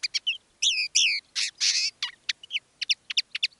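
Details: Live song of a common linnet kept as a decoy bird: nasal wavering whistles and a harsh buzzy burst, then a string of quick, clipped twitters; faint background hiss.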